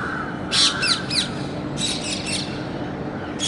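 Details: Parrot giving harsh, raspy squawks in two quick bursts of about three calls each, then a single squawk at the end, over a steady background hiss.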